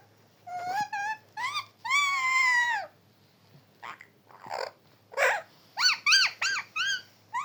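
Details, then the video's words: Talking parrot utters a varied run of nasal, speech-like syllables, one long sustained tone, then several short rising-falling chirps in quick succession. "talking parrot"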